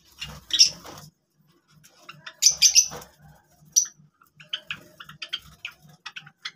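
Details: Captive Java sparrows uttering short bright piping notes in loose bursts, separated by quiet gaps filled with faint clicks.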